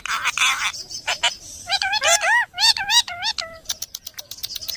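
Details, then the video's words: Pet parrot chattering: harsh noisy squawks, then a fast series of wavering warbled notes with clear harmonics, ending in quick clicking pulses. "funny parrot sound 🐦#cute parrot sound"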